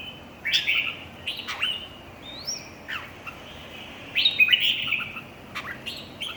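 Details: Red-whiskered bulbuls in a singing competition: bright warbled phrases around mid-high pitch, short rising and falling notes in bursts with brief pauses, sharp clicks between phrases.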